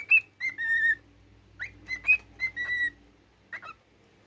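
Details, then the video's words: Learned military tune whistled by a pet cockatiel: a few pure rising and flat notes in two short phrases, then a softer closing pair of whistles and silence. "Cockatiel singing his military song"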